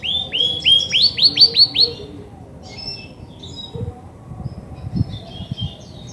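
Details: Female Belgian canary, grey and white, kept in a cage, singing when ready to brood: a short series of bright upward-curving whistles, roughly six in two seconds, then soft scattered chirps and low household noises.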